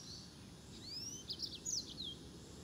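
A yellow-fronted canary gives a quick run of high, thin whistled notes, some slurred upward and others sliding down, over a steady low background hiss.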